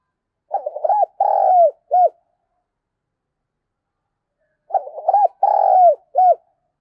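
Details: Lure calling by a spotted dove, a phrase of quick stuttering coos, a long falling coo and a short closing note, given twice about four seconds apart with silence between.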